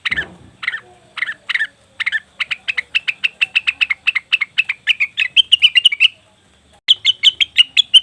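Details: Leafbird lure for wild cucak wilis or rengganis birds: a few separate scratchy notes, then a long rapid string of sharp ticking chips rising slightly in pitch, a short pause, and more quick chips.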